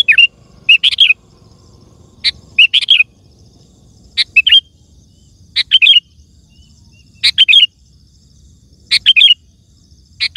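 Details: Lively sooty-headed bulbul song played to call wild bulbuls and set captive ones singing. Bubbly chirping whistled phrases repeat about every one and a half seconds in a clean, quiet setting.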